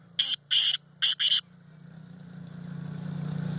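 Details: Black francolin in Sindh, Pakistan, gives a loud, grating call of four harsh notes: a short note, a longer one, then a quick pair, all within about one and a half seconds, followed by a steady low hum.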